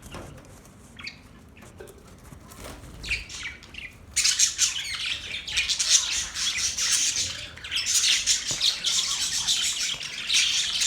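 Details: A few faint budgie chirps open the recording, then loud, dense, high-pitched chatter surges in and carries on steadily to the end.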